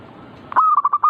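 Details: One phrase of zebra dove (perkutut) song, meant to provoke other birds to sing: a sharp opening note, then four quick, even, rolling coos.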